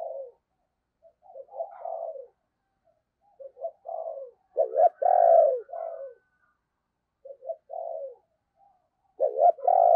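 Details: Decoy spotted dove calling in the deep 'giọng sấm bầu' voice style, used to lure wild doves: low, hoarse coo phrases, each a few short notes ending in a long drawn coo, in three bursts with silent pauses.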